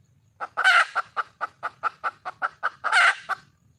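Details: Red junglefowl hen calling for a male: steady run of rapid clucks, about four per second, with two loud hoarse squawks near the start and end.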